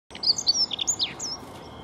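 A European greenfinch sings a quick burst of bright, high twittering chirps, some sliding downward, lasting about a second over a low, steady background hiss.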